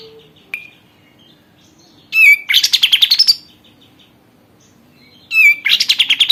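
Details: Captive sooty-headed bulbul after one month of care, singing actively: two loud bursts of rapid, bubbly chirping notes, each opening with a sharp high note, separated by near silence.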